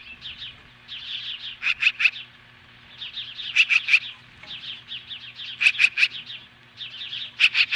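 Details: Osprey defending its nest against magpies, Hellgate Canyon near Lolo, Montana, summer morning 2015: agitated high whistled chirps interleaved with loud grating triplets of rasping notes every two seconds or so.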